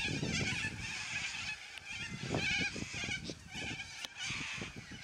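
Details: Flock of noisy yellow-crested cockatoos squawking; rough, strident cries overlap continuously while soft low bumps and rustles sound underneath.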